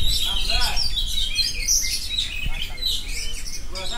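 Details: Oriental magpie-robin delivering rolling, unbroken song of fast chirps and high whistled phrases, with faint voices and a single low thump in the background.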